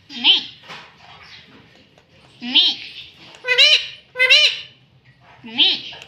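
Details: Pet rose-ringed parakeet talking, saying "mummy": five short, loud, harmonic voiced calls, with some paired close together, spaced over six seconds. Faint indoor background sits between them.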